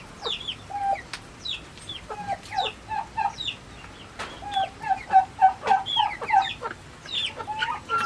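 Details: Domestic turkeys: short, clipped mid-pitched notes repeat in loose runs, quickening into a fast series near the middle, over a busy chorus of thin, high, downslurred chirps from other fowl.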